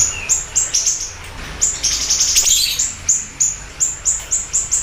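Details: Vigorous siri-siri bird song: evenly spaced high, thin chirps, several per second, broken by a dense shimmering twitter in the middle, then steady chirping again.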